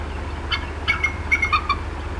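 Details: Upset female bald eagle at the Decorah North nest in April 2016: a few quick, piping clucks in close succession, the last notes dropping slightly in pitch, with a faint low hum behind.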